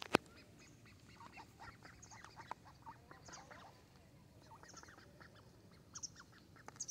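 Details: Young mallards calling together on the shore of Varistonlampi pond in Vantaa, Finland: a steady patter of short, soft quacks and nasal peeps from several birds, overlapping at an irregular pace, over a faint low rumble.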